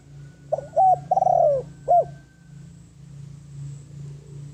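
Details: A spotted dove used as a lure for wild doves gives one low four-part cooing phrase, its third note long, quavering and falling, then falls silent over a low droning hum.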